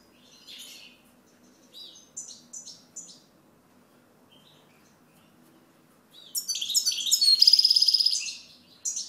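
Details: European goldfinch song: a few faint, scattered high chirps over a quiet low hum, then a loud burst of fast, tinkling twitters and a buzzy, ringing trill from about six seconds on.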